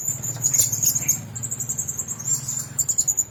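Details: Caged blue-crowned hanging parrots sharing one cage keep up a fast, continuous, very high-pitched twittering chatter of tiny squeaky notes, with a low steady hum underneath.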